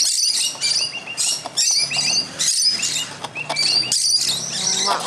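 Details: About twenty Musk lorikeets feeding on fruit in a front-yard tree one morning keep up a constant shrill, screechy chatter of overlapping high metallic squeaks; a man talks quietly in the background.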